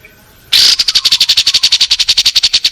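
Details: Long-tailed shrike tutoring song from a home yard and rice field, 16 May 2022, recorded on a Samsung M30 phone: a sudden loud harsh note opening into a fast, even, high pulsed trill lasting over two seconds.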